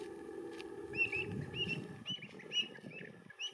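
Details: Pied avocet in winter at Domaine de Certes, Audenge, France, 2022: short, sharp, high-pitched calls, several repeated at irregular intervals about every half second, over a low steady rumble of wind or distant traffic.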